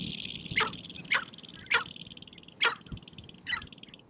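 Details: Male sharp-tailed grouse in spring, dancing and fighting on a prairie hilltop to attract females, give sharp, harsh cackling notes roughly every half second over a faint high rattle and soft low thumps.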